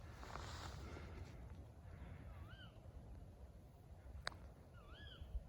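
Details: Tawny owl at night on a Much Marcle ride, with bats about: two faint, sharp, wavering calls rise and fall a few seconds apart over a steady low night rumble and one sharp click.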